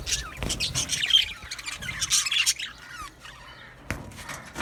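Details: Budgerigars in an aviary colony singing and chirping: dense, scratchy high chatter with squawky notes for the first half, then quieter, scattered chirps and a sharp click near the end.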